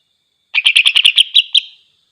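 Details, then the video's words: Greater green leafbird song used to provoke other leafbirds: around nine fast, sharp chattering notes, the last few spaced slightly wider, then a thin whistle fading out; no other sounds. "cucak ijo GACOR DIJAMIN bikin NGAMUK cucak ijo lain"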